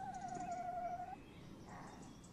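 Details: Tawny owl at a camera nest box on a May evening in 2015; one quavering mid-pitched trill lasting just over a second, then faint background hiss.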